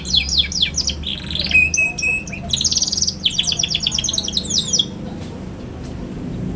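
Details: Young canary, used to prompt other young canaries to learn singing: fast chirps, a flat whistled note, buzzy trilled bursts and rolling warbles for about five seconds, then near silence with faint background noise.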